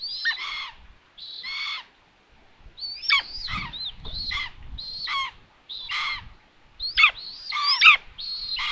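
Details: Common buzzards at a nest in Tiszalök, Hungary, on June 21, 2022, an adult arriving with food to find the nest empty. Harsh calls drop sharply from high to lower pitch, repeated in irregular bursts, about a dozen across the stretch.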